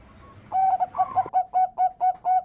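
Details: Zebra dove (perkutut, merbuk) champion song used as a lure to attract birds: after a brief buzzy start, a run of about eight low, mellow, staccato coos repeated in quick, even rhythm.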